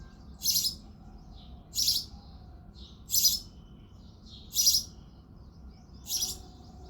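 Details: Five loud, buzzy chirps at a steady pace of about one every 1.4 seconds come from a male house sparrow singing on an early February morning. Faint soft notes sound in between.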